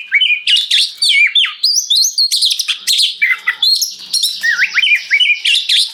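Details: Energetic oriental magpie-robin song used to prompt other magpie-robins to reply: continuous rapid medley of bright whistles, rising slurs and high squeaky notes, nearly unbroken over several seconds.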